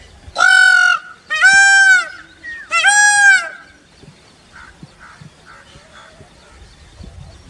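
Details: Peacock calling within a family of peacock and peahen: three loud, brassy, wailing calls in quick succession, each about a second long, then quieter faint notes and background rustling.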